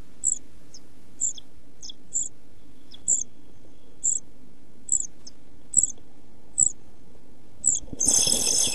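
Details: Nest-box European pied flycatcher chicks aged 11-12 days, nearly ready to fledge, recorded 29 June 2013: thin, high, short calls repeated roughly every second, then a sudden dense burst of shrill calling at the end.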